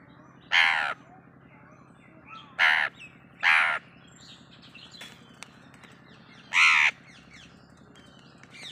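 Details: Pet Indian ringneck parrot imitating a crow: four harsh, nasal caw-like calls at uneven intervals, each about half a second long, with faint clicks and a low steady hum between.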